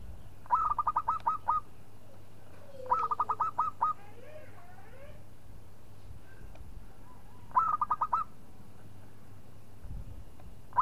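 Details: Zebra dove of a local type calling to stir a rival into song: repeated short phrases of quick hooked coos, about six notes each, separated by several seconds, with faint scattered sounds and low hum in between.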